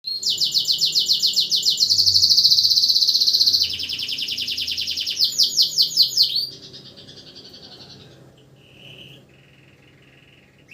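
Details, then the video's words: Canary singing at night as a tutor bird for training other songbirds: loud rapid trills, a long sustained buzzy roll, then quick repeated upswept notes, fading to soft thin whistles near the end. "kenari burung masteran saat malam hari pun tetep gacor"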